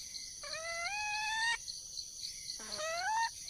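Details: Wild red junglefowl calling to find a mate: two harmonic-rich, slightly rising calls of about one second each, the second starting with a low note, over a steady high insect drone.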